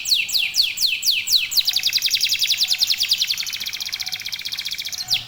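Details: Lively local canary song meant to spur other canaries into singing: several bold falling whistled sweeps, then a fast, rolling, buzzy trill held for seconds before another sweep. A low hum sits underneath.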